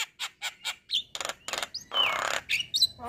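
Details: Male white-eyed Javan myna singing to prompt other mynas into song: short rasping bursts, then harsh broad screeches and a long grating note, with a few thin whistles between them.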